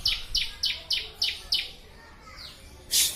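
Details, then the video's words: Evenly spaced, high downslurred chirps of a Bar-winged prinia, called ciblek, about three per second, fading off and ending in a broad harsh burst; a master recording meant for training birds. "Masteran burung ciblek"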